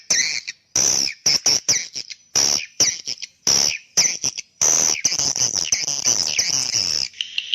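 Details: Swiftlet call for summoning young swiftlets: irregular bursts of sharp clicks and high squeaky chirps separated by short silences, ending in a longer continuous twittering stretch.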